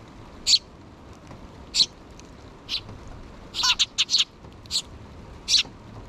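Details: Food-begging by a pair of sparrow nestlings with the mother bird, June 6, 2023: scattered thin high chirps, then a tight run of four or five squeaks, more chirps trailing off.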